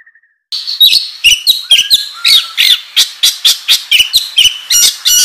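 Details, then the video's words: Oriental magpie-robin, a kacer used as a training lure, singing loudly in the gacor ngobra style: a fast run of sharp clicks and buzzy notes mixed with short whistled slides, repeated about twice a second. "Pancingan Kacer Gacor Ngobra Menggila"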